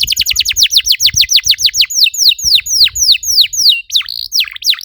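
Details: Canary singing to stimulate other canaries: fast repeated downward-sweeping whistles that slow gradually, ending with twisting, warbled notes.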